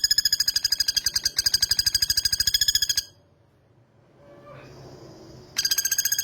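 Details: Male common flameback, described as very vocal, giving a loud, fast, even rattling trill of many rapid harsh notes for about three seconds, a pause with faint background sound, then the trill starting again.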